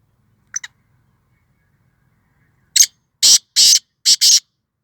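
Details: Black francolin calling in Sindh, Pakistan: two faint short notes, then after a silence a loud harsh grating phrase of five notes, one brief note followed by two longer rasping notes and a closing quick pair, against a quiet background.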